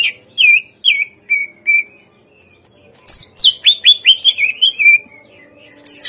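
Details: Greater green leafbird singing, played to coax untrained caged birds into responding: several clear downslurred whistles spaced apart, then a dense rush of bright chirped notes settling into a sustained whistle.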